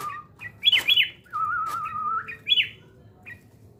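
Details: Sooty-headed bulbul during fight training: bright down-slurred chirps, a long low steady whistle, then another bright chirp and a final short note, with clicks and low hum behind.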